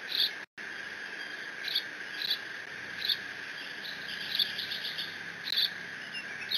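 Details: Bald eaglet alone on the Decorah nest, live cam, 30 June 2017, squeeing while mantling a fish just delivered by its father; short high squeaky chirps repeat about every half second to second, over a steady electronic hum.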